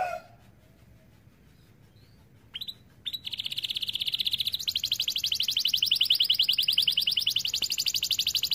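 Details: Canary song meant to prompt other canaries to sing: after a quiet start, a fast, even trill of high repeated notes builds and runs steadily for several seconds.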